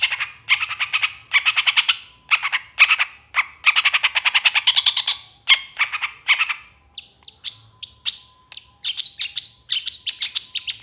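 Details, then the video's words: Long-tailed shrike song used as training material for other songbirds: rapid harsh buzzy notes repeated in bursts, shifting after seven seconds into higher thin whistled and chattering phrases, clean with no other sounds. "SUARA CENDET FULL ISIAN GACOR DOR"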